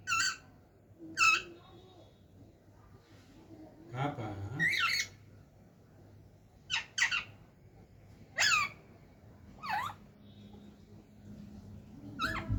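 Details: Talking parrot squawking in short, harsh bursts scattered across the recording, some paired in quick doubles, with one longer rough, lower-pitched call in the middle and quiet gaps between.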